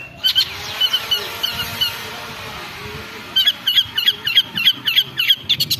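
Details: Long-tailed shrike (cendet) lure to rouse aggressive singing: soft, evenly spaced high chips, a pause, then a quicker series of sharp repeated notes several times a second.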